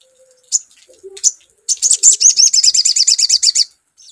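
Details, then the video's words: Sogon, heard as a lure song: a couple of sharp separate chirps, then a fast run of high, ringing, slightly buzzy notes for about two seconds before it stops. "SUARA PANCINGAN SOGON"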